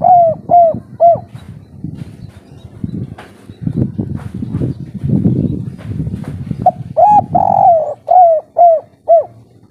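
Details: Spotted dove of local stock in full breeding condition, giving the three-note kuk 3 coo style: loud, low, rounded coos in quick groups at the start and end, with a noisy stretch of rustling and scraping in between.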